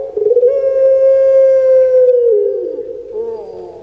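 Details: Captive puter pelung, a collared dove kept as a pet, holds one long steady cooing note for about two seconds. The note then drops and breaks into a lower, warbling ending.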